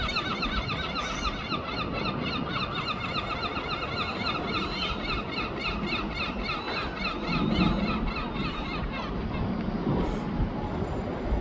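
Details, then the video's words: Herring gulls duetting in London: a rapid run of repeated harsh, harmonic squealing notes lasting about seven seconds, then fading, over a constant low background rumble. "The Greatest Wildlife Duets Singing ( Herring gull )"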